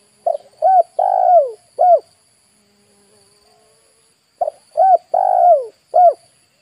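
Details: Spotted dove call used as a lure for wild birds, two matching cooing phrases about four seconds apart, each a quick stutter, a short coo, a long falling coo and a final short coo.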